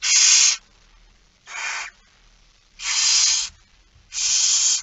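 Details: Barn owl at a 06:57 feeding on 13 September 2019, begging with four harsh, steady hiss-screeches, each about half a second long, spaced roughly a second apart.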